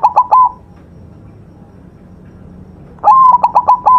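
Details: White zebra dove, a master recording of vigorous song for training: a short end of a cooing phrase, then after a gap a full phrase, a rising coo followed by four or five quick pulsed notes.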